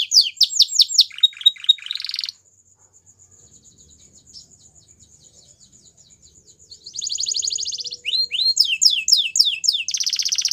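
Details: White canary, Belgian breed, sings bursts of rapid falling notes and buzzy rolls, a quiet gap of soft ticking in the middle, then more trills and sweeps.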